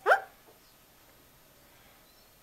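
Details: Buksi, a captive Eurasian magpie rescued as a chick with a broken leg and taught to talk, gives a single quick, voice-like syllable imitating a human word, followed by quiet.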